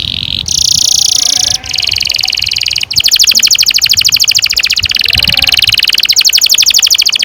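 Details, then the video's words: Canary singing long rolls to coach young canaries: dense buzzy high trills lead into a rapid, evenly pulsed rolling trill that continues steadily to the end. "Kenari gacor NGEROL PANJANG cocok untuk PANCINGAN KENARI PAUD"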